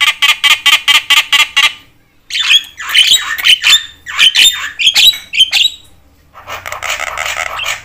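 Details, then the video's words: Persistently vocal Javan myna, a call meant to provoke other mynas: a rapid burst of harsh rasping notes, a pause, then varied squeaky whistles and chatters, ending in a long buzzy rasp. "jalak kebo gacor BAWEL sekali bunyi bikin semua jenis burung jalak emosi koar koar"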